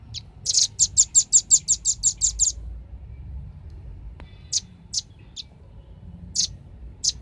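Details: Velvet-fronted nuthatch, played as a lure to gather birds, gives a fast rattling run of thin, high chip notes, followed by quieter, widely spaced single chips.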